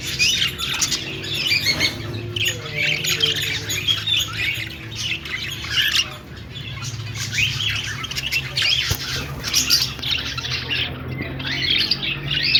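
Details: A flock of budgerigars singing and chirping in an aviary: steady overlapping high chatter, squawks and warbles from many birds, with a brief lull near the middle and a low hum underneath.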